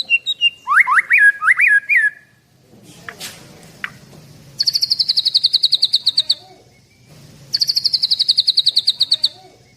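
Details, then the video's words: White-rumped shama, a caged Medan bird aged 11 months, 24 cm, singing loudly: rising whistled upslurs, then long rapid trills of sharp repeated high notes, with faint low background hum. "Merdunya Suara Murai Batu Medan"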